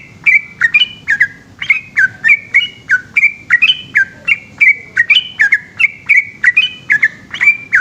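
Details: Long, gacor ropel song of a yellow-vented bulbul after dark: dense, continuous chain of bright, gurgling whistled notes, some paired and rising, delivered about three per second with hardly any pause.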